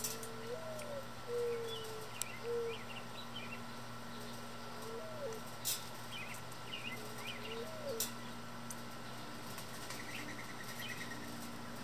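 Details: Mourning doves feeding on spilled seed beneath backyard feeders, some chasing each other, give soft, low, hollow coos that slur up then down a few times over twelve seconds; faint high small-bird chirps and a steady mechanical hum underneath.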